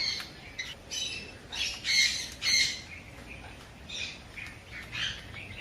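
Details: A pet sun conure gives harsh, piercing screeches in short bursts, about five or six across several seconds, with a faint steady hiss behind; sun conure.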